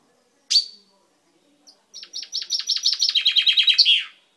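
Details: A pet chaffinch, beak just turned purple, singing on 10/05/12: one loud sharp call, then a accelerating series of about fifteen bright notes that slide downward and end in a brief terminal flourish.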